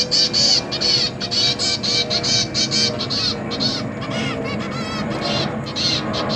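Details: Caged zebra finch chicks beg while parents feed them, recorded 29 September 2023 with three juveniles and three newly hatched young. Harsh, nasal, harmonic-rich calls repeat about twice a second in a steady insistent string, with a low background hum.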